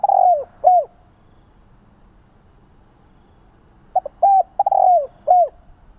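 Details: Spotted dove coos used to stimulate decoy doves. A phrase ends with two falling coos, then there is a quiet gap of about three seconds. Another phrase follows, with clipped notes and drawn-out, sliding, hollow coos.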